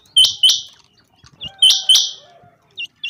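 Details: Common quail in a summer meadow: sharp, loud paired notes, each pair preceded by a faint short note. The pairs are repeated about every one and a half seconds, with no other clear sounds.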